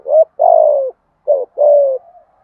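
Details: Close spotted dove lure call for trapping, a rough short coo then a long gently falling coo, repeated once, in a quiet setting.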